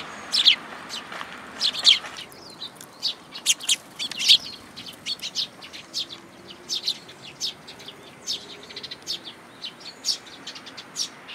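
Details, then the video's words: Several sparrows come for food at a plum-tree feeding spot by a Tenmangu shrine, 2 July 2022, giving short high chirps in loose bursts, louder at the start, then scattered quieter notes over a quiet background. "梅の木の餌場 餌を貰いに来る雀達"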